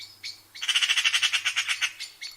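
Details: Eurasian magpie (Pica pica) giving a harsh, rattling chatter call: about a dozen grating notes in quick succession, roughly eight a second, over a faint low hum.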